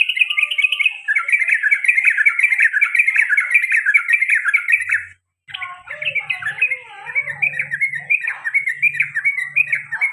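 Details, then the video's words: Sooty-headed bulbul, a pet male, delivering a dense run of bright chattering 'cuk' notes, then after a brief gap more varied wavering chirps over a low hum. "CUK CUK CUK TRUCUKAN ROPEL PANJANG DAN GARUDA BER ULANG - ULANG"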